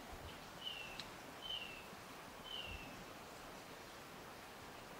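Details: Chestnut-crowned antpitta, a mainly ground-dwelling bird hidden in the understory, at Alto San Miguel: three faint, drawn-out whistled notes, each sliding downward, spaced about a second apart, in a quiet setting with soft background hiss.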